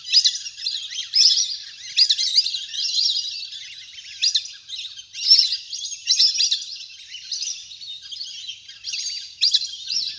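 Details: Big flock of ducks playing in water, a natural recording for luring birds: high, wavering whistled phrases come in separate bursts roughly every second, over a soft background twitter.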